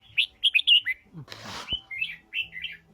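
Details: Red-whiskered bulbul singing a stimulating song meant to draw out voice: bright warbled notes rising and falling in quick bursts, interrupted midway by a short hissing noise burst, then softer slurred phrases.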